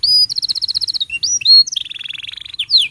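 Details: Canary tutor song for youngsters and mute canaries: a held whistle, a rapid beaded trill, short slurred whistles and a bright sweep, then a quick rolling trill and final downward slurs.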